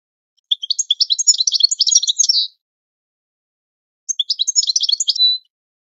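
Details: European goldfinch training song, clean and noise-free: a two-second phrase of quick tinkling twitters and buzzy chips, a pause, then a shorter similar phrase ending in a drawn-out note.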